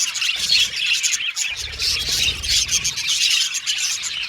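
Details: Pet Australian budgies singing and chirping: a dense, continuous chatter of high, rapid twittering notes and short whistles overlapping throughout, with a faint low rumble in the background.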